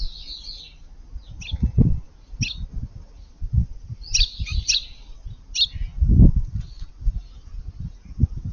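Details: Eurasian tree sparrows sand bathing in a garden flowerbed on a hot 5 August day; short, bright chirps come in scattered bursts over repeated low thumping and rustling.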